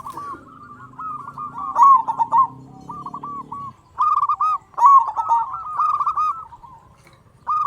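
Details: Big-voiced local zebra dove from Indonesia, used to provoke other doves into singing. Repeated phrases of rapid, rolling cooing notes come in bursts with short pauses, over a steady low hum that stops midway.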